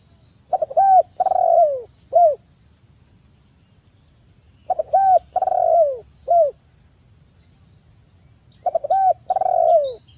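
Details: Spotted dove lure song meant to call a rival, an agitated, steady-singing bird: three phrases, each a short coo, a longer drawn-out falling coo, then a short coo, repeating about every four seconds over a faint constant high electronic whine.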